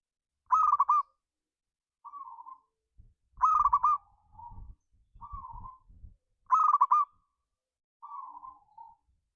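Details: Local zebra dove, or perkutut, singing a 'ngayer kerot nutut' style song used to provoke other doves into singing. Bright staccato cooing phrases, each followed by a softer trailing coo, repeat about every three seconds. Dull low thumps sound in the background.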